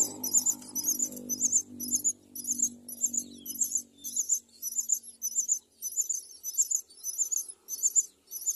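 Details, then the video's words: Myna pair raising four chicks at the nest; shrill, squeaky paired chirps repeat rapidly, nearly two per second, over a soft low murmur that fades after four seconds. "Myna birds, raises four children"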